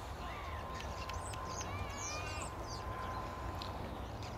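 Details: Bearded tits at RSPB Rainham Marshes, UK, in March 2012: short, high, ringing call notes scattered through the clip over a steady low rumble of wind or traffic, with a drawn-out harmonic note from another bird midway.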